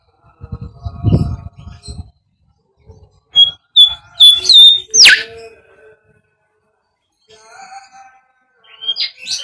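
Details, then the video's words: Bimoli whistle for luring birds in training: after a low rumbling noise, a series of short high notes leads into a bright upward-sweeping whistle, with faint murmuring and a few high notes at the end. "SIULAN BIMOLI UNTUK PANCINGAN BURUNG"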